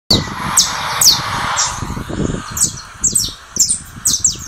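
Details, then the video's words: Saffron finch of the 'russo' song style, coming out of molt, singing against another bird's song played from a phone; high, sharp downslurred notes repeated roughly twice a second, with background rustling and low noise. "Canário da terra russo."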